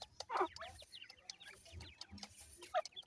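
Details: Grey francolin chicks feeding, giving many short, thin, down-slurred peeps in quick, uneven bursts, with sharp pecking taps and a louder chirp near the start.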